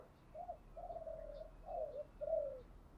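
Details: Morning calling of a spotted dove decoy, distant and quiet: four soft, hollow coo notes, the second drawn out, against steady background hiss and low noise.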